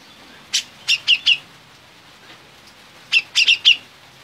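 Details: Grey-cheeked bulbul (cucak jenggot), a contest songbird, in full loud voice: two bursts of four sharp, chattering notes each, separated by about two seconds of near silence.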